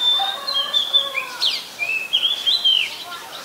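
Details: Very common resident Oriental magpie-robin, Ubon Ratchathani, Thailand, 7 January 2021. Loud run of varied whistled notes: a long level tone, then quick upswept and downslurred whistles in a tumbling phrase.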